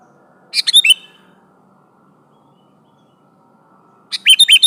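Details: Vocal sooty-headed bulbul calling out to a rival: two bursts of quick, bubbly chirps, one near the start and one at the end, separated by a few seconds of soft low hum.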